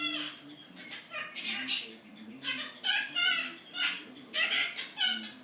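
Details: Captive pet Quaker parrot, a male, reproducing complaints it overheard from people talking about a job; dense run of scratchy, word-like syllables delivered in quick, uneven bursts like hurried speech.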